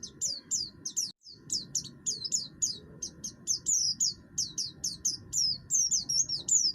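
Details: Harsh-singing oriental white-eye of the buxtoni kind, kept in a cage, whose song is used to stir other birds to sing; a dense run of high, falling chirps, about three per second.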